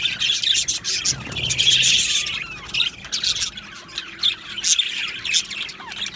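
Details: Budgerigars chirping as a flock in an aviary colony, a loud busy chorus of high squawks, rapid twittering and raspy warbling, with sharp chips standing out above the steady chatter.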